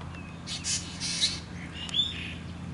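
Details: Black drongo family, with the young bird begging its parents for food at close range: a run of rough, scratchy, breathy squeals, then a thinner rising note near the end, over faint low background hum.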